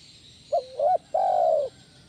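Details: Single 'kuk 1' phrase from a spotted dove, played to lure and train other doves: two brief separated hooting notes, then one drawn-out, slightly falling coo, with light steady hiss in the background.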